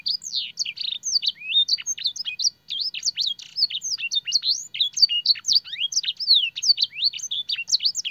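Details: Canary master song for training canaries, filled with blackthroat and sanger phrases: a dense, nonstop stream of high, sharp twittering notes and quick slurred whistles with no pauses. The background is otherwise quiet.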